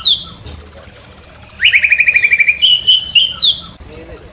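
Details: White-rumped shama song used as training and lure material for songbirds: a fast series of high repeated notes, then a lower rapid trill of evenly spaced chirps, ending in sharp high whistles, with faint background hiss.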